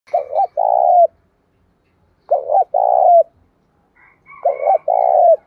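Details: Spotted dove in the 'đồng pha' voice style, singing to provoke fighting and draw out rivals. Three low cooing phrases come about every two seconds, each a quick double note followed by a longer, steady coo that drops at the end.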